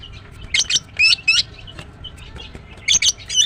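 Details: A female greater green leafbird (green cucak) gives rapid, high, buzzy chirps in short paired bursts, then a lull and another fast cluster of piercing notes near the end, over a soft background hum.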